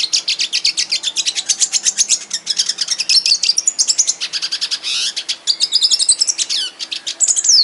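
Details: Aviary red siskin giving a continuous, high, rapid twittering song for over seven seconds, mixing dry chirps with thin rising and falling whistles and occasional buzzy trills, without pause.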